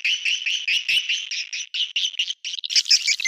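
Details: Swiftlet lure call: rapid buzzy chirps in quick succession, high-pitched and rasping, with a few sharper squeaks near the end.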